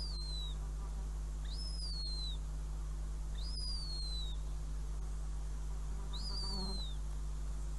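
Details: Northern goshawk at a nest in Riga on 5 June 2016, with a mouse brought as prey: four thin, whistled calls that rise briefly then slur downward, spaced about two seconds apart, over a steady low hum.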